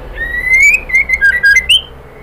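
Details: White-rumped shama female calling the male: a smooth rising whistle breaking into a series of stepped, slurred whistled notes ending on a high upward flick, loud and clear.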